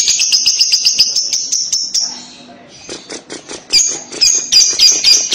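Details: Lovebird kekek song used to make a young lovebird respond: rapid, high, buzzy chattering, a brief pause with faint lower sounds, then the shrill chatter resumes.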